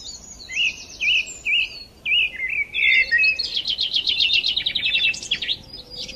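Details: Sparrows chirping in the morning: several looping whistled notes, then a sustained rapid trill of high chirps that rises in intensity before tapering off.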